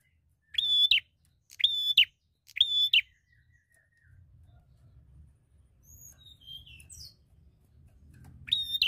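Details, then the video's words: Fighter bar-winged prinia looking for a rival: three strong buzzy chip notes spaced about one second apart, a gap with soft high twitters over low background rumble, then a final loud note. "Prenjak Gacor Fighter Cari Lawan"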